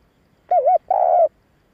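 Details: Spotted dove giving a coo to lure and excite males, one wavering double-dipped note followed by a longer flat, slightly falling coo, low and clear with no other sound.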